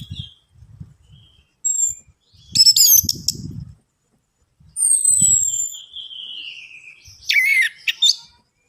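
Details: Orange-headed thrush song as a singing lure: short high whistles, a compact warbled burst, a long clear falling whistle sliding lower, and a final loud twisting phrase, with low knocking between phrases.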